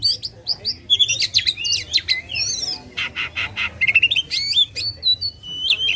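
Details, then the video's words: Oriental magpie-robin singing loudly to provoke contest birds: high, varied whistles and sharp slurred notes, with bursts of harsh buzzy rasps in the middle and a faint low hum behind. "kacer gacor ngobra suara lantang ampuh buat pancing emosi kacer kontes."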